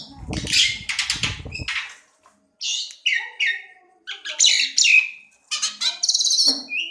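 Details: Bird song with harsh, noisy bursts and chattering notes mixed with a few clear whistles, delivered in loud clusters separated by short gaps.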